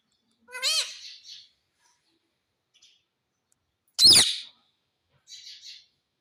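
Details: Pet parrot known for talking, giving a short wavering squawk, then a loud harsh burst after a silent pause, and finally a soft chattering note.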